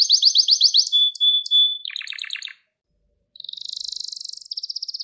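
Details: Gloster canary training song for males: rapid chirps, a pure steady whistle, a pulsed lower rattle, a silent pause, then a high buzzing trill that fades into quick repeated notes.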